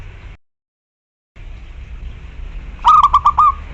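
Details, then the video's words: Local zebra dove calling a rival: after a brief dropout and a stretch of steady low hum, a rapid stuttering phrase of about six rolling coo notes arrives near the end. "Perkutut lokal gacor suara besar || memanggil lawan"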